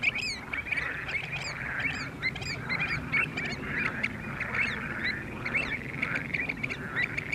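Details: Pied avocets at Skanör and Falsterbo, Sweden, June 2015, give clear, fluty 'kluit' notes, several birds calling rapidly and overlapping, over a low rumble of wind or water.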